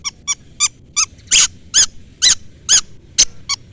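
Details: Long-tailed shrike calling a rival, played as a lure to make other shrikes answer; harsh, nasal, harmonically rich notes come about twice a second in an irregular series, some louder and broader than others, with nothing else audible.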